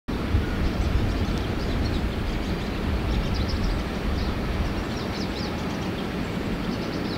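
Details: A steady broadband rumble like wind or passing traffic fills the whole recording, and no animal calls stand out.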